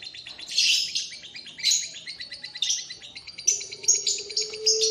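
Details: Young, well-fed Barbary dove chicks give high, thin, squeaky chirps in rapid bursts about once a second, with a brief low steady tone near the end.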